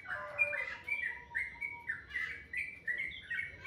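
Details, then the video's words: Birds singing sweetly in the morning: soft warbled whistles in short phrases roughly every half second over a faint steady low tone. "Suara burung dipagi hari sangat merdu"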